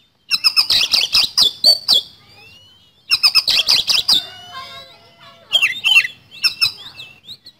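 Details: Lure recording of a kacer, or oriental magpie-robin, singing 'nembak speed roll': two bursts of fast buzzy, chattering notes, each trailing into a thin falling whistle, then a few loud looping whistled phrases.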